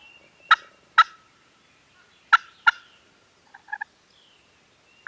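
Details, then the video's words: Farm turkeys gobble on a Canon G7X recording: two pairs of harsh, crackling bursts with a gap between them, followed by a few soft, short clucking notes near the end. "Turkeys Are Gobbling"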